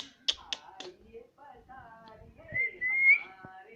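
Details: Pet talking parrot indoors, said to say 'mummy' and 'papa'. A few sharp clicks and low mumbled syllables come first, then one long, high, level whistle near the end.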